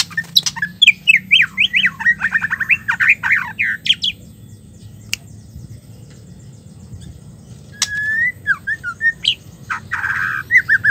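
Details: Female white-rumped shama, a call used to stir silent or stressed males into singing again: rapid varied whistled and chirping notes in bursts, a pause, then a long buzzy note and further short sharp calls.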